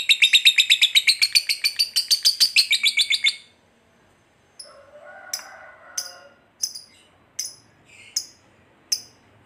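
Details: Fighter lovebird giving a long ngekek trill, used to provoke another lovebird to fight: a rapid, buzzy, high chattering burst of about three seconds, then a pause and sharp isolated chips spaced roughly every second with a faint low murmur.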